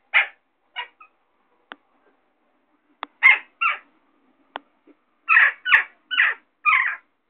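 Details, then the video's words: Western jackdaw shouting out on a ledge: a series of harsh, short squawking calls, some paired and some in quick runs of three or four, with sharp clicks and taps between them. "Jackdaw Shouting Out On The Ledge"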